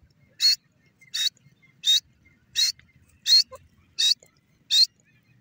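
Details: Grey francolin, also called teetar, giving a steady series of short, harsh, high-pitched notes, seven in just over five seconds at even spacing, with quiet background between calls.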